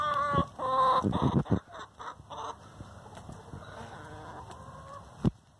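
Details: Free-range hen fussing over the laying nest: a run of loud, nasal, harmonic squawks in quick succession, then a softer trailing drawn note and a single sharp thump.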